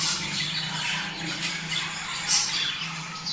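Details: Budgerigar flock chatter intended to encourage breeding: continuous bright warbles and squawks from many birds, one sharp clicking note midway, over a low steady hum.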